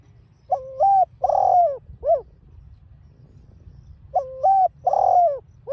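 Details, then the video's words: Repeated coo phrase of a spotted dove in the mixed 'đồng pha' style for provoking caged birds: two three-note phrases roughly three and a half seconds apart, each a bent hoot, a long mellow coo and a brief final note. "chim cu GÁY GỌI kích bổi hiệu quả giọng đồng pha"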